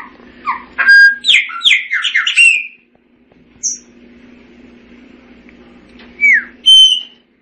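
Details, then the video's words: Singing Chopi blackbird gives a tumbling sequence of descending whistled slurs and squawky notes, then sparse high whistles and a drawn-out clear note, over a faint steady low hum. "Tordo Chaqueño Cantando - Chopi Blackbird Singing - Gnorimopsar Chopi"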